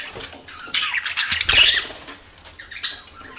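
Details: Pet budgerigars give a loud buzzy squawking burst with mixed chirps, then quieter scattered chatter fading out.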